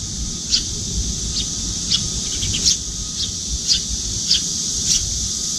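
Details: Juvenile Eurasian tree sparrow, grown but with paler cheeks, fluttering its wings while following a parent at a windowside feeding spot to be fed. Short, sharp high chirps come about every half second over a steady high hiss.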